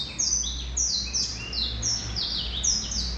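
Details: Male Black-throated canary with a lively string of high, sliding downward whistles and lower twittering notes linked together, steady in loudness, over a constant low hum.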